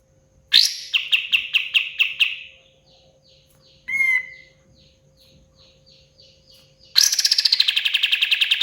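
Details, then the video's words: Energetic pied fantail song: an opening run of rhythmic chattering notes, then a quick sliding whistle, then faint repeated ticks. It ends in a fast, dense trill of sharp high notes that is still going at the close. "SUARA BURUNG KAPAS TEMBAK KATEM GACOR"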